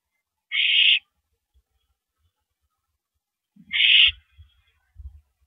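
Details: Owl during a mouse delivery, evening of 13 April 2012 at 9:17 PM: two brief, coarse hissing screeches about three seconds apart, the second followed by low thuds and scuffling.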